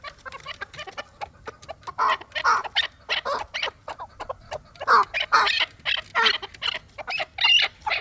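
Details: Fighting-bred chukar partridge uttering loud, broad, raspy chuck notes in uneven groups, about two per second, with quieter clicks between.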